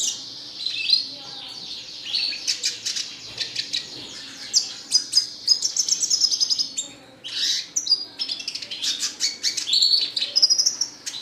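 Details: Lively red siskin song of rapid, high twittering chirps and buzzy trills, broken by a loud sweeping whistle, then more quick repeated notes and thin whistles in long, almost unbroken runs.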